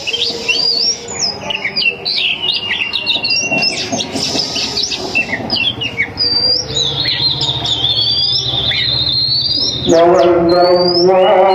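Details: Oriental magpie-robin hen luring males with song: a dense run of varied whistles, chirps and rising slurs, then a man's drawn-out chanted call to prayer begins near the end.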